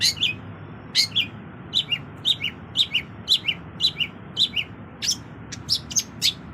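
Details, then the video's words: Long-tailed shrike, a hobbyist's songbird with a richly filled song, repeating paired high notes, a sharp chip followed by a lower slurred note, about twice a second, with a few higher squeaky notes at the end. "Cendet Isian Mewah"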